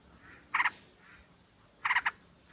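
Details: Female sooty-headed bulbul calling the male, a lure sound from a flock: two short, rough, stuttering bursts about 1.3 seconds apart over soft background chatter.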